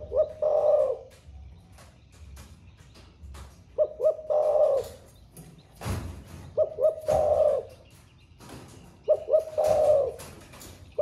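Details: Caged spotted dove from Vietnam of the Thổ pha song style, said to coo all day, repeating a low cooing phrase four times at roughly three-second intervals, with clicks and knocks in the background.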